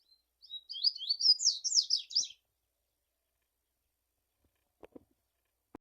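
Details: Double-collared seedeater delivering about two seconds of rapid, high, twittering song, followed by quiet with a few faint clicks.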